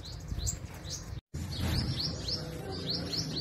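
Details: High rising-then-falling chirps from a sunbird tending its young at a hanging nest, repeated about three times per second in a steady series, broken by a brief silent gap, with low background rumble.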